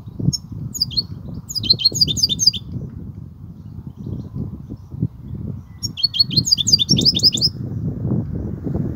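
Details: Two bursts of European goldfinch 'kobia' song, each about a second of quick tinkling twittered notes, separated by a silent gap of nearly three seconds, over persistent low background rumble.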